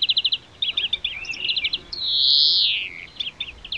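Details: A wild European greenfinch (Chloris chloris) sings quick twittering trills and chirps, broken by one long, drawn-out nasal wheeze in the middle.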